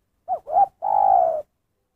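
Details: Spotted dove 'kuk satu' call: a quick hoot and upward double coo followed by a long, level, mellow coo that fades away, with no background sounds.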